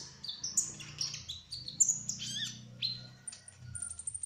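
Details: Kolibri ninja trotol sunbird singing: a jumble of high, thin, slurred whistles stepping up and down in pitch, then a sharp downslurred note and fading high tinkles, with low hum underneath.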